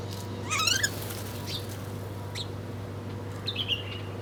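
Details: Birds eating breakfast. A quick burst of bright, rising chirps comes early, then isolated sharp tweets and a short trilled phrase near the end. A constant low mechanical hum runs underneath.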